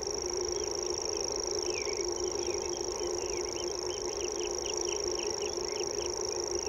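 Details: Common grasshopper warbler reeling: a long, high-pitched, unmusical trill runs on without a break, while another bird repeats short slurred whistled notes about twice a second below it, over a low background hum.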